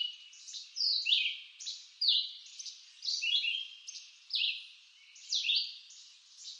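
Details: Song of a red-eyed vireo in eastern North American woods: crisp, high, slurred whistled phrases come one after another with short gaps, varying between upswept and downswept notes. The woodland setting is otherwise calm.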